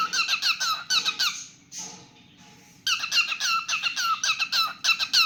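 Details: Pet cockatiel singing indoors in a small room: quick runs of squeaky, chirping whistled notes, about four a second, broken by a short quiet pause before the rapid phrases start again.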